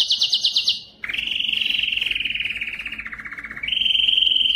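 A male canary sings high, rapid trills that step down in pitch and then jump back up.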